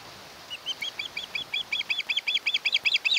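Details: Osprey at a nest on Kent Island, Maryland, in early August 2018, heard more distantly: a run of thin, whistled chirps that builds into a quick, regular series over steady background hiss.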